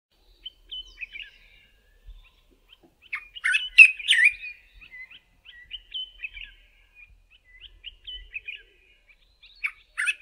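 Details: A male Dark-capped Bulbul in South Africa sings its far-carrying early-morning song from the top of a bush, with bright, chattering whistled notes in short irregular bursts and a louder liquid flourish midway, against a quiet background.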